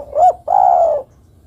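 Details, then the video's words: Spotted dove hen calling the male with a brief rounded coo and then a sustained, steady coo that tapers downward. No other sounds intrude. "Suara burung derkuku betina memanggil jantan"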